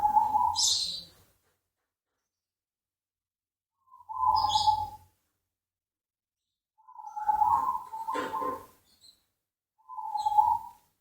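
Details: A perkutut, or zebra dove, gives single soft, vibrating coo notes of about a second each, spaced several seconds apart, with brief faint rustling between them.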